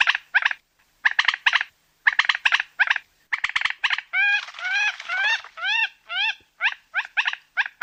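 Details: Common moorhen calling for night luring: loud, harsh, clucking notes in quick groups of two to four, then a run of upward-inflected squawks, followed by more clustered clucks.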